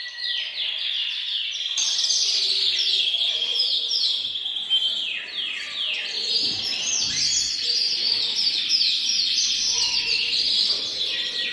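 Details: Canaries in a bird room in full group song, played to push males to sing and ready females for breeding; quiet opening, then a sudden loud burst of fast, falling trills and rolling warbles that continues unbroken.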